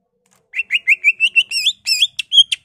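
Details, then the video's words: Greater green leafbird singing energetically, its song packed with mimicked calls of other birds such as magpie-robin, laughingthrush and canary: a run of about nine quick rising whistled notes, then brighter, higher slurred phrases ending in sharp chips. "BURUNG CUCAK IJO GACOR EMOSI NGENTROK BONGKAR ISIAN"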